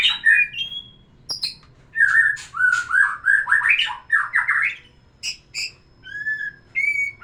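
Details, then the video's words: White-rumped shama song aimed at stimulating a female to breed: opening whistles and a sharp note, then a lively run of slurred, rising and falling fluty phrases, followed by scattered high ticks and clear whistles. "terapi kicauan murai batu biar pancing birahi betina"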